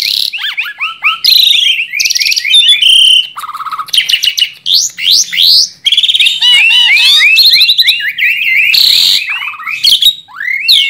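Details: Tame Asian pied starling singing nonstop to draw out song in young starlings: rapid strings of bouncing whistles, buzzy rattles and harsh noisy bursts, alternating with short looping phrases and almost no background noise.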